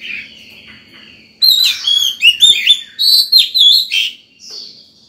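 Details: Oriental magpie-robin in fiery morning song, luring other birds and tutoring young birds. A thin sustained note gives way to loud, rich whistled phrases and sharp slurs, then a softer closing note.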